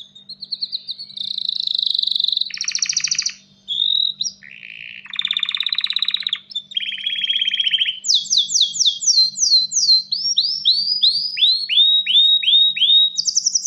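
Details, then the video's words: Male canary ready to breed, singing to attract a female and stimulate nesting: varied tours of buzzy rolls and rattles at different pitches, then a series of loud, sweeping down-slurred whistles and a high closing trill. "تغريد كناري ومناداة للتزواج"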